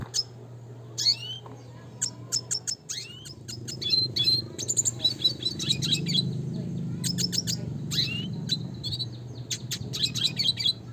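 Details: Red siskin (Spinus cucullatus) of the classic type delivering rolling song: high twittering chirps, rising upslurred notes and rapid clicking series in bursts, with a constant low hum and faint rumble.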